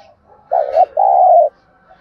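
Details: Spotted dove 'thúc gù' call used for luring wild doves and training decoy birds: a low, hollow stuttered note leading into a longer, even coo that fades slightly downward, in a quiet setting.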